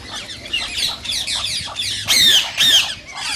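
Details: Indian rose-ringed parakeet giving harsh squawking calls meant to spur other parakeets to mate: rasping chatter building to two loud, drawn-out screeches near the end.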